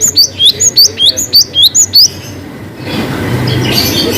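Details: Cinereous tit singing varied long 'wucit' phrases as a lure for birds reluctant to sing: two seconds of crisp, high, hooked whistles in a rapid even series, then broad noise.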